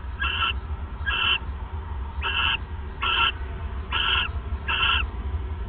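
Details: Owls bonding at a nest in the night, 1:26 AM, 29 December 2014, picked up by a live nest cam. Six brief, rasping, harmonic chirps repeat roughly once a second against a constant low-pitched hum.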